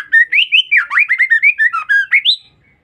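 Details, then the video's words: Female white-rumped shama, a call used to lure or provoke males: a continuous rapid string of about fifteen short slurred whistles, rising and falling, ending on a higher upward note. "Pancingan Suara Murai Batu Betina"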